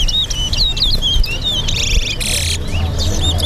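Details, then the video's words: Caged towa towa singing in a song race at Lusignan bird ground, Guyana: rapid high whistled trills and warbling phrases, with a burst of harsher buzzy notes midway, over low rumbling background noise. "TOWA TOWA BIRD RACE"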